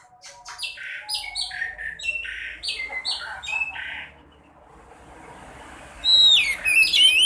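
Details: Swallow (sekoci) sounds played to encourage caged birds to sing: a rapid series of buzzy chirps, about two a second, a quiet pause, then loud sweeping whistled twitters.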